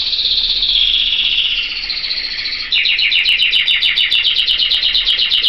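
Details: Pet canary singing loudly: a sustained high buzzy trill for nearly three seconds, then a rapid run of sharp repeated notes at about four per second, with no other sounds.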